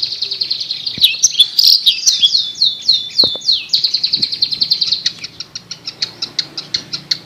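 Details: Long-tailed shrike chirping: a loud run of downslurred high notes repeated several times a second, then fading into a quick, thinner trill of evenly spaced ticks.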